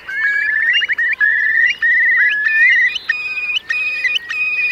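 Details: Eurasian curlews taking refuge in wet meadows of Marquenterre, Bay of Somme, France, during a high-coefficient high tide, 7 October 2021; loud, fluid whistled calls, rising and bubbling, repeated almost continuously from several birds in the flock.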